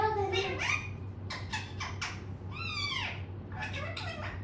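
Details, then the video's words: A pet parrot chatters at length indoors, giving a run of harsh, harmonic, speech-like syllables, some slurred upward and some falling, in bursts with short pauses, over a steady low hum. "Mittu Ne Bol Bol kar Pkaa Diya"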